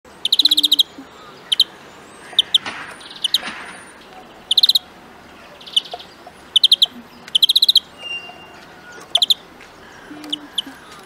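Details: European greenfinch in a huylandırma song-training recording: short bursts of rapid, metallic trilled notes, often in groups of three to six, repeated every second or two. A faint low hum and a few soft rustles sound in the background.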